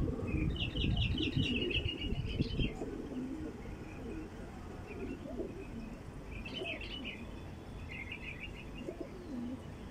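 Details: Bulbul calls played to attract wild bulbuls: a long buzzy trilled chatter at the start, then fainter short trilled bursts spaced a few seconds apart, with strong low rumbling noise throughout.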